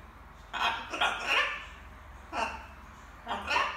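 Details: A little pet macaw's evening babble while practising words indoors: a run of three rasping, speech-like syllables, a pause, then two more short throaty bursts, over a low steady background hum.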